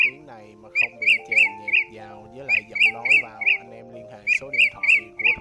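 Blue-throated bee-eater giving short, bright, rolling chirps in quick runs of three to five, with brief pauses between runs, over steady background music.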